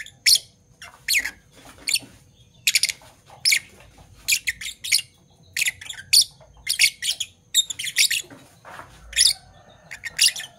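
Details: Fischer's lovebirds in Parblue Violet and Parblue Turquoise colours give a busy morning series of harsh, buzzy chirps, often in quick pairs, with soft low background noise throughout.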